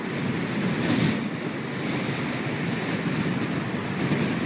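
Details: Steady rushing wind-like noise with low rumble, no animal voices heard.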